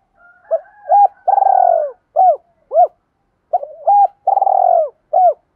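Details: Spotted doves, male and female, cooing as a daily recording used to train decoy birds and stimulate them to coo: low, soft, hooting phrases with a drawn-out, slightly falling middle note, repeated twice with short hoots between, in clean silence.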